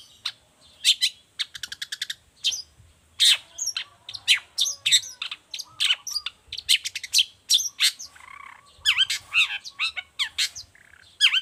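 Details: Long-tailed shrike in full song, kept as a tutor model and lure for other shrikes: a fast, varied stream of sharp high notes, rapid trills and whistled slurs, tightly packed with brief gaps.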